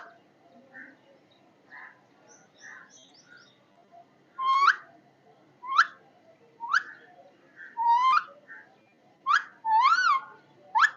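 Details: Parrot first heard faintly with soft notes over a steady background hum, then giving sharper rising whistles and a few louder arched calls every second or so.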